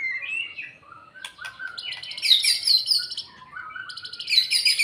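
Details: White-rumped shama singing after its moult while building fighting spirit, mixing soft whistled notes with loud, high, scratchy bursts that are repeated in bright clusters.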